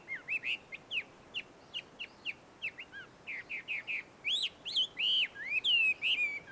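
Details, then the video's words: Chinese hwamei singing wild near a Tenmangu shrine in Joso, Ibaraki, Japan: clipped, upward-flicking whistles spaced out at first, building into louder, fuller looping whistled phrases. "ガビチョウの鳴き声鳴き声。suara merdu Poksai di alam liar!"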